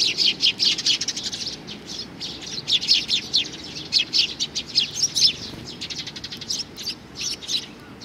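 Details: Young sparrow, June 2019: a steady stream of bright, high chirps, fairly dense for most of the stretch and thinning near the end.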